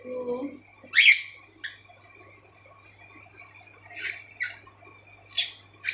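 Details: Pet cockatiels at home: a person's voice opens, followed by a loud harsh screech and a string of short scratchy chirps spaced irregularly.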